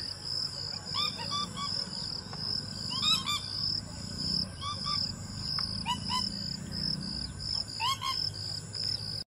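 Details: Pheasant-tailed jacana (Hydrophasianus chirurgus), contact call: mother calling to her chicks.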